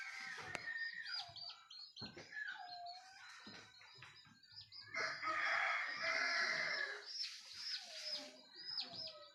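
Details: Rooster crowing as morning approaches, heard on waking from sleep: a loud, harmonic, drawn-out crow mid-clip, with many high thin chirps and whistles from other birds throughout.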